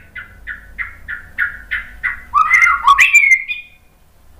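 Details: White-rumped shama giving a series of eight evenly spaced downslurred whistles, about three per second, then a louder complex warbled flourish rising high before falling silent.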